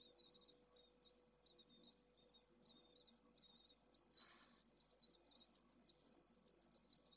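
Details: Pallid swift in Spain, 4 June 2022, on camera: short high wavering chirps at first, a brief rustle, then a denser run of high trilled, rippling notes, with faint background hum.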